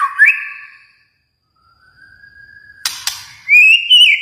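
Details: Kalimantan white-rumped shama giving a few loud, rising whistled notes, separated by a quiet pause and two sharp clicks, ending on a bright sustained whistle.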